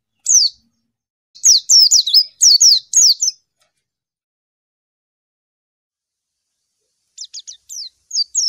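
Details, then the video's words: White-eye (pleci) calling to a rival: thin, very high, quickly slurred chirps in a rapid burst, then a pause before a softer run of short notes; nothing else heard. "suara burung PLECI MANGGIL LAWAN"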